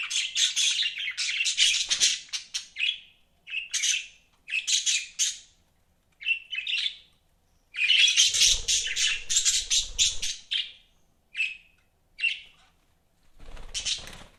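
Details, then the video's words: Pet budgies giving separated bursts of bright, scratchy chirping and warbling with short silent gaps, plus a faint low rumble in the middle. "BUDGIES CHIRPING SOUND"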